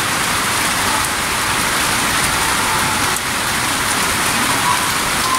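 Steady heavy rain falls on a surface, a dense broadband hiss through the whole clip, with a faint vehicle rumble and no animal sound.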